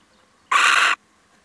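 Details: A male little owl on a brief visit utters one loud, rough, hissing screech of about half a second against a quiet background.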